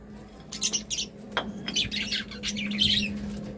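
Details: Cheerful budgerigars giving scattered high chirps and short warbled phrases that grow busier toward the end, with one sharp click and a low steady hum behind.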